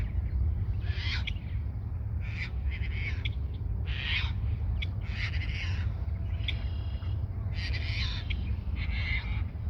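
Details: Red-winged blackbird singing close to the recordist at Montrose Point Bird Sanctuary; harsh, buzzy, broad bursts repeated every one to two seconds over a steady low wind rumble.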